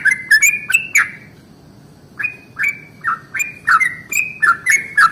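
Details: Yellow-vented bulbul giving its 'ropel panjang' morning song to rouse other bulbuls: a short bubbly phrase, a pause of about a second, then a longer run of gurgling, up-and-down liquid notes.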